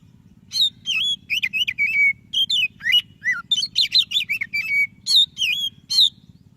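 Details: Lively song of a white-breasted Oriental magpie-robin, used to coax reluctant birds to sing: a rapid, varied run of sharp whistled notes, slurs and short trills with brief gaps, over a soft low hum.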